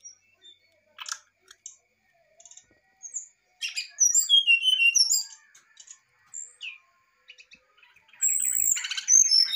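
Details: Brown-chested jungle flycatcher in agitated song: scattered short high chips and ticks, a cluster of quick descending whistles midway, then a rapid high warbled flourish at the close.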